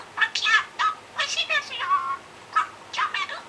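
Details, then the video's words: Pet budgerigar talking indoors, recorded 7 July 2016 while playing shop clerk and practising customer service. It gives rapid, chattery, speech-like phrases in bursts with short pauses between them. "お喋りインコのピーポ 接客の練習をする"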